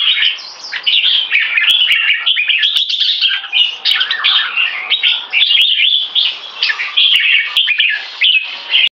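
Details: Two contest red-whiskered bulbuls, one moulting, singing against each other: nonstop bright, bubbling warbles and quick chirped notes, rising and dipping in rapid succession, loud throughout, with a handful of crisp clicks.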